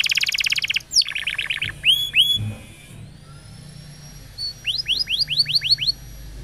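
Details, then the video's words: Canary song, played as tutor material for young birds and to rouse non-singing canaries: a dense buzzy trill, falling sweeps, a long quiet gap with a thin tone, then a series of six rising-falling whistled notes. "Kenari Gacor Panjang !! Masteran Burung Kenari PAUD dan Pancingan Kenari MACET BUNYI"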